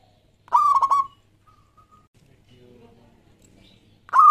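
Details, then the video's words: Local zebra dove singing to lure doves: one rapid stuttered cooing phrase, then faint soft tones and murmurs, before a second phrase begins and is cut off at the end. "Perkutut Lokal Gacor JAGO PIKAT semua jenis"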